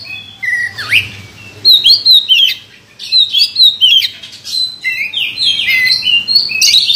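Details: A champion Oriental magpie-robin with a prize record pours out a rich, varied song of high sliding whistles, sharp chips and buzzy trills in quick bursts, over a faint low room hum.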